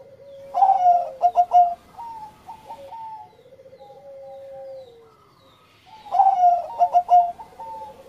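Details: Zebra dove, Bangkok type, in engkel song meant to raise breeding mood: a stuttering loud cooing burst, level fluttering hoots that fall away, a brief lull, then the burst repeated.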